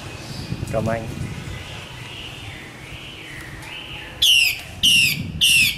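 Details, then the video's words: Female Chinese hwamei from Northwest Vietnam: a faint wavering whistle and a voice, then three loud harsh downslurred notes, each about half a second long. "Hoạ Mi mái "Hay" nhất bản mường Tây Bắc"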